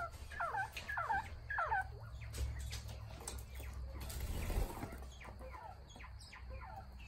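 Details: Northern bobwhite quail chatter: three clear, looping whistled notes in quick succession open the recording, then fainter similar notes trail off against steady low rumbling noise.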